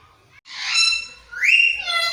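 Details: Parrot mimicking a cat's meow: a short harsh harmonic squawk, followed by a brighter call that rises and then levels off, in a quiet setting.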